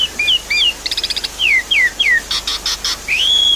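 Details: Javan pied starling song used as a lure to prompt a bird that has stopped singing: paired short whistles, a burst of rapid buzzy notes, falling slurred whistles, then harsh bursts and a long rising-then-level whistle.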